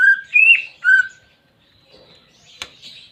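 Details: Caged greater green leafbird song used to coax a reluctant pet into singing: three clear whistled notes, the second rising and bending, followed by quiet scratchy chatter and a sharp click.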